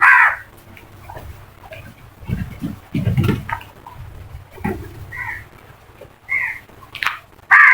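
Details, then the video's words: Crows in a flock give several short, harsh caws, loud at the start and end, with low rustling and thumping sounds in between. "Flock of Crows Sound Effect | Crows Call"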